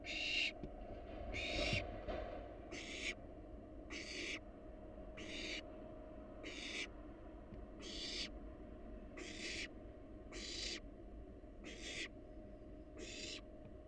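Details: A long series of eleven short harsh hisses, roughly one a second, from wild barn owls at a research nest box, over a constant low hum.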